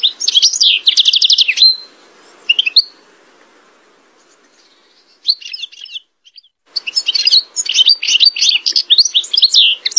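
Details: European goldfinch delivering bursts of rapid, high twittering song, with a dense trilled stretch at the start, quieter gaps midway, then a long lively chatter of tinkling notes.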